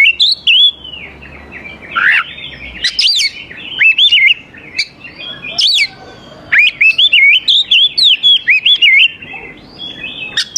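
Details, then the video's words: Energetic oriental magpie-robin song used to lure young wild birds into singing, quick rising and falling whistled phrases, a harsh note midway, then rhythmic looping whistles repeated in a steady run. "KACER GACOR SANGAT AMPUH UNTUK MEMANCING KACER MUDA HUTAN BIAR IKUT NYAUT DAN LANGSUNG GACOR"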